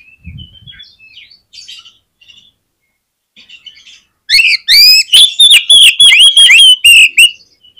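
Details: Oriental magpie-robin song used to get other magpie-robins singing: scattered soft notes and chirps, then a loud, fast, strident run of repeated notes from halfway through.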